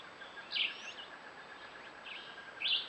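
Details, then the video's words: A Groove-billed Ani, caught on a camera trap in Costa Rica, gives two or three short, bright, slurred notes about two seconds apart over a steady high hiss of background noise. "Groove-billed Ani"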